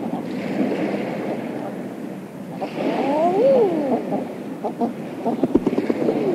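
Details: Late spring evening offshore, eiders on the water give a mellow swooping coo that rises and drops, with fainter calls later, against constant surf noise and sharp wing-flap bursts near the end.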